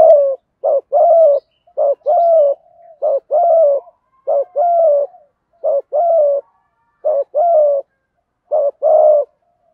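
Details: Spotted dove cooing, male and female, used as a lure for wild birds; low mellow coos around 600 to 700, in paired short-then-long phrases repeated steadily about every second, clean and loud with no other sounds.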